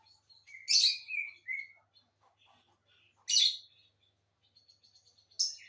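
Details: Two lovebirds kept as a matched pair give loud, grating screeches at the start and again midway. Soft, scratchy twitters and brief squeaks fill the gaps, with another shriek at the end.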